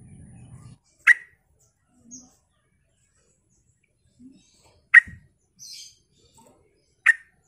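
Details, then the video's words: Lure song of a Sooty-headed bulbul, gacor style, meant to make other birds reply: three isolated sharp chirps about two seconds apart, with soft faint squeaks between and a brief low hum at the start. "Trucuk mana yang gak nyaut dengar suara pancingan trucukan gacor ini"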